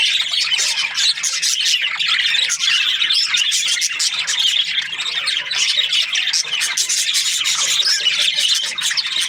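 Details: Budgie parakeets chirping en masse: dense, rapid squawks and buzzy twitters packed tightly together, continuous and loud without gaps.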